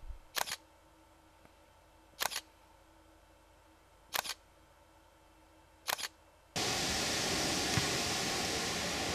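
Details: Four sharp camera shutter clicks spaced about two seconds apart, followed by a sudden steady hiss of broadband noise, with no animal voices.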